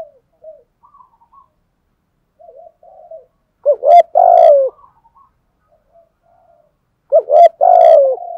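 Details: Spotted dove calling, with the local styles thúc, gù, gáy gọi, kích and gáy luân. Soft, scattered murmured coos lead into two loud, throaty coo phrases, each a short note and then a longer drawn-out one, several seconds apart.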